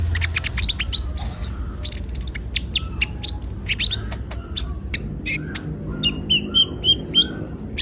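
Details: Olive-backed sunbird (kolibri ninja) singing actively as a lure recording; a dense, fast jumble of high chirps, trills and sliding whistles, with a brief long whistle near the start, over a soft low background hum.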